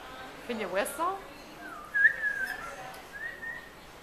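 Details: A pet parrot living at a maritime museum in Halifax, Nova Scotia, recorded in February: a person's voice asks a question, then the parrot gives two clear, high whistles, a longer wavering one then a shorter rising one.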